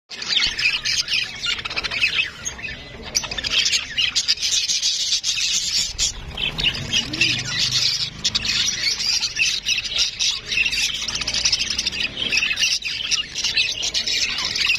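Budgerigars chattering in a flock, a dense stream of high chirps and warbles without pause.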